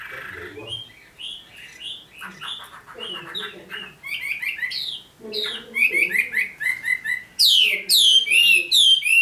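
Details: Newly selected red-whiskered bulbul gives soft scratchy chatter that builds into loud, ringing whistled phrases with sharp upward and downward slurs, growing stronger and faster toward the end.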